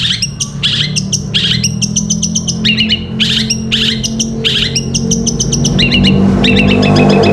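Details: Long-tailed shrike singing long 'gereja petir' style song used to train caged birds, with quick clusters of bright chirps and short upslurred notes, about three per second, above steady low rumbling background noise.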